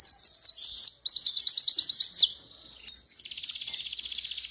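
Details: Pakistani canary song in distinct sections: quick chirped notes, a fast bright trill lasting about a second, a brief pause, then a long soft high buzzy rattle rolling steadily to the end.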